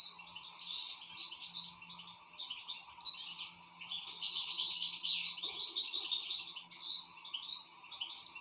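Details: An excited European goldfinch sings a long, busy stream of twittering, buzzy trills and chattering notes that grows louder midway, accompanied by a steady background hum.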